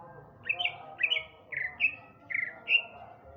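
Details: Male greater green leafbird from Sumatra, singing vigorously in the afternoon: short bright chirped notes, mostly in pairs or small clusters, repeated about every half second, sharp rising-then-falling phrases against a quiet background.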